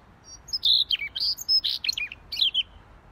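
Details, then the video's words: Short burst of vigorous gacor song from a Siberian rubythroat: loud, high, scratchy slurred notes and quick chirps crowded into under three seconds, with little background noise. "Siberian Rubythroat Gacor Si Leher Merah"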